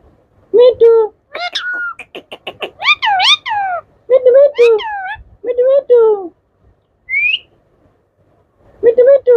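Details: Indian ringneck parrots, in yellow, blue and green, kept as pets, talking: a run of loud nasal speech-like syllables with rising and falling tones, separated by brief pauses, plus one short high squeak.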